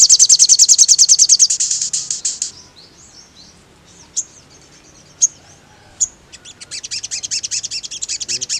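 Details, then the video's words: Sogon (mangrove blue flycatcher) singing a lively song meant to provoke other sogons into anger. A fast high buzzy trill runs for about two seconds, then scattered sharp chips follow, and a second rapid trill closes the recording. "SUARA BURUNG SOGON BIKIN NGAMUK SOGON TROTOL METALIK EMOSI"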